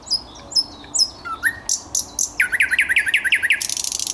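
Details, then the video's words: Song of a thrush nightingale, 10 May 2021: high thin whistles and rising notes lead into a rapid series of loud downward-sweeping strokes, then a fast buzzy rattle at the close. "Słowik Szary"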